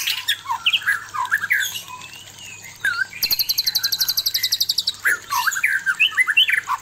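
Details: White-rumped shama male singing at a fierce female for pairing therapy; scattered whistled notes, then a long rapid mechanical rattle of about twenty evenly spaced pulses, ending in slurred whistles; low hum throughout.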